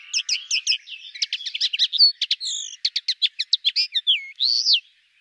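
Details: Linnet song, described as a pleasant, soft warble: quick bursts of dry clicking notes and buzzy trills mixed with clear slurred whistles, ending on a drawn-out rising-and-falling whistle.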